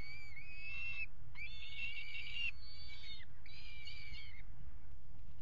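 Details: Peregrine falcons mating on the nest ledge of a water tower nest box in Axel, Netherlands, 5 February 2018, webcam: three drawn-out harsh, wailing harmonic calls about a second each, with steady low background rumble.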